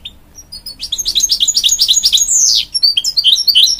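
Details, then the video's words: Canary and goldfinch cross, the hybrid goldfinch, singing for young chicks: a dense rolling twitter of rapid high notes, a falling slide, then quick tinkling chirps. "A Hybrid Goldfinch Sings To Encourage Young Chicks"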